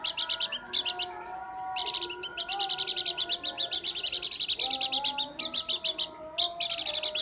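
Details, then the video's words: Dakun-type Oriental white-eye from Garut in full song: dense bursts of sharp, high twittering chirps broken by short pauses, with quieter, lower sliding whistles underneath. "burung pleci dakun garut"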